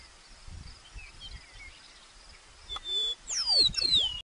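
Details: Meadowlark singing in grassland at Wind Cave National Park in 2013, possibly a Western meadowlark's song though the bird seen may be Eastern: a brief phrase of clear, flute-like whistles sliding downward in pitch, after a quiet stretch with soft hiss.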